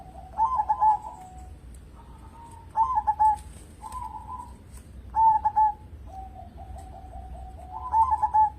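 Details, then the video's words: Local zebra dove kept as a singing lure to set other birds calling. Gentle triple-note coo phrases repeat every two to three seconds, linked by soft, low, rippling trills. "burung perkutut lokal gacor cocok buat pancingan"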